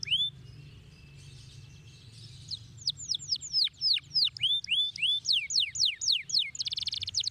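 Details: Canary song that opens with a few sweeping whistles, then launches into a quick series of loud downward-slurred notes at about four per second, ending in a dry buzzing roll over a low hum.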